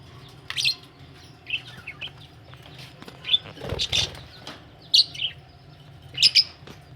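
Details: Budgies ready to lay eggs chatter in quick chirps and squeaky twitters, irregular bursts about once a second, a louder scratchy flurry midway, over a low background hum.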